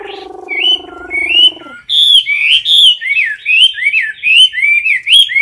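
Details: Close-up of a caged Chinese hwamei in competition song: a low, harsh buzzing sound opens, then loud, ringing whistled phrases follow, each rising and then dipping, repeated rapidly in a steady series.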